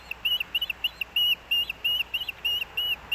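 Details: At a Missoula, Montana nest near Hellgate Canyon, an Osprey calls as the male arrives with fish in early August: continuous string of clear, piercing whistled notes, some short, some drawn out, about three per second.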